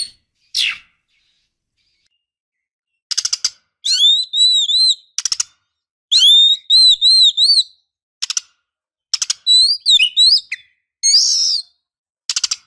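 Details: Female white-rumped shama calling to lure a male: dry rattling bursts alternate with looping, repeated whistled phrases, all high-pitched, with short silences between.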